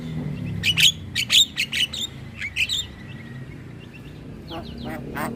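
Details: Javan myna song used as a lure for mynas and starlings: a quick series of sharp clicks and short whistled notes, then a quieter pause before a few more clicks.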